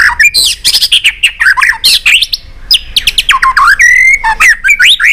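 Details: White-rumped shama singing a many-voiced song used to stimulate and train birds, with sharp clicking notes; loud, rapid whistled phrases that swoop and rise, interspersed with dry clicks and a short buzzy trill, nearly continuous throughout.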